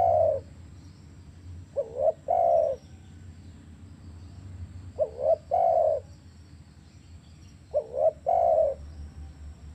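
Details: Spotted dove cooing, played to coax a silent captive dove into calling: three phrases, each a short rising coo followed by a longer, steady purring coo, spaced about three seconds apart over a low background hum.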